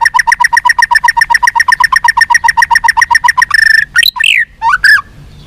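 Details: White-rumped shama sound used to make captive birds more responsive and fighting: a fast, even series of harsh, nasal notes, about six per second, then a buzzy burst and two sharp rising squawks.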